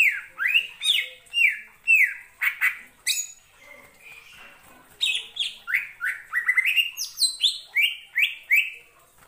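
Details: Greater green leafbird singing a lively series of clear whistled notes, many sharply rising or falling, in quick repeated phrases; a brief quieter pause midway, then faster varied whistles and chirps resume.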